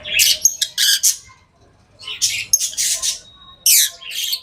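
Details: Pet lovebirds with harsh, squawky, high chirp bursts in several clusters, plus a thin sustained whistle-like tone between them.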